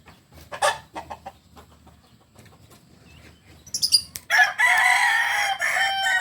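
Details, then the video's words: Kukuak Balenggek rooster, a chicken native to Solok: a few short clucks at first, then a loud, sustained harmonic crow from about four seconds on, rich and ringing to the end. "Ayam kukuak balenggek ayam asli solok"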